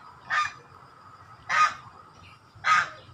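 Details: Three single swan honks, nasal and clipped, spaced about a second apart, each standing alone against a low, quiet background.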